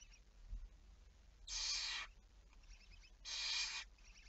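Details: Barn owl on the night of 11 May 2019, two rough, breathy screeches nearly two seconds apart, each around half a second long, against a low, steady background noise.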